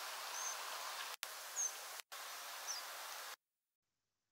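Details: European Pied Flycatcher nocturnal migration flight calls: three thin, high, very short calls about a second apart, some rising and some falling, over steady background hiss.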